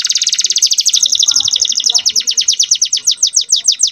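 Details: Young canary's tutor song, said to make hens ready to breed: a very fast rolling trill that gradually slows into separate, evenly spaced chipping notes.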